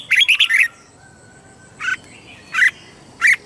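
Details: Red-whiskered bulbul recorded in Thailand, southern master-song style for rousing and teaching caged birds: a quick run of four loud chirps, then three separate rasping notes spaced about two-thirds of a second apart.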